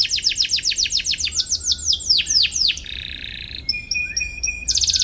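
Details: Canary singing to challenge a rival, used as a lure for young canaries: a fast run of high falling notes, then a thin steady whistle, a low buzz and a rapid trill.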